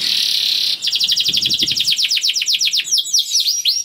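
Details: Young canary song meant to stimulate other canaries to sing, opening with a buzzy sustained note, then a rapid rattling trill of sweeping notes and a few slower clear swoops.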